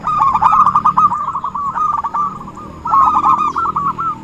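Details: Zebra dove call used to lure birds for trapping: a fast burst of bubbling, staccato coos for about a second, a quieter pause, then a second rapid rolling burst near the end.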